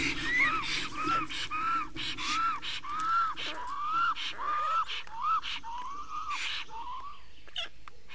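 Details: Black storks at an Estonian nest on 19 May 2019, during nest change-over and feeding: a series of about nine arched whistled notes, each rising then falling, spaced roughly 0.6 seconds apart, over soft rustling and clicks.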